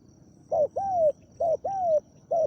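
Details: Captive spotted dove used as a decoy to lure a wild dove in Thailand, described as deep-voiced, giving low mellow coos in an alternating pattern of short and long drawn, slightly falling notes, five notes in total.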